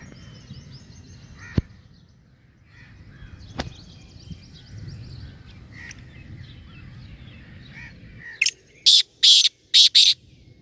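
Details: A trained hunting black francolin (kala teetar) gives a burst of loud, harsh, grating notes after faint, scattered bird chirps.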